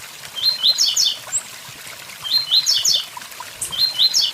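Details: Blue-black grassquit "tui tui zel zel" song near a waterfall, three brief high buzzy phrases of rising chirps about every one and a half seconds, with the constant hiss of falling water behind.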